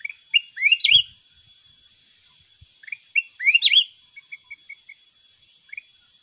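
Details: Mountain red-whiskered bulbul singing in a contest: short whistled notes leading into a warbling rising-and-falling flourish, given twice, then a run of brief clipped notes and a last rising whistle, over a steady high tone and a few soft low thumps.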